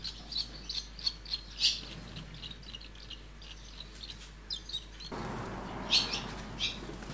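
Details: Nestling swallows being reared by their parents give bursts of shrill, high-pitched twittering, clustered in the first two seconds and again near the six-second mark, with a sudden rise in background rumble partway through.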